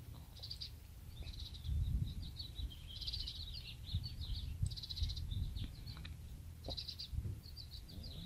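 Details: Baby house sparrow set in a palm tree nest to reunite with its mother: bursts of high, scratchy chirps come in short clusters every second or two, with low background rumble and occasional thumps.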